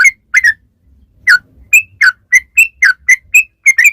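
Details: Yellow-vented bulbul song used as a lure to make bulbuls respond: a couple of quick chirps, a silent second, then evenly spaced, bright, slightly rising notes about four per second.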